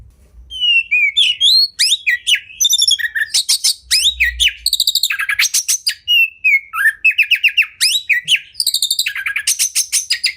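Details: Oriental magpie-robin (kacer), a bird kept in a cage, sings a masteran training song full of rapid fills. Bright whistled notes slide up and down. They alternate with dense bursts of fast, buzzy trills and chattering repeated phrases, with almost no pause.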